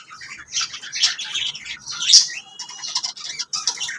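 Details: Lovebirds chatter softly, high raspy chirps and squawky notes flowing together, with a louder rising call partway through.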